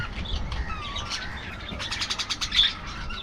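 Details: Budgerigars, apparently a colony kept in an aviary, give bright, scratchy chirps and warbles. A busy burst of rapid notes clusters near the end over a low background rumble.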